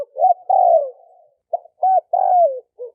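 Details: Cooing of a male spotted dove used to draw in females: short coos followed by a long, smoothly falling coo, then a short pause, two clipped coos, another long descending coo and a brief final note, no background.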